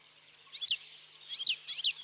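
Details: Saker falcon chicks on a nest webcam in Hungary on 11 May 2012 give three short, high, harsh squealing calls, each a quick rising-and-falling squeak, spaced about a second apart over a faint steady hiss.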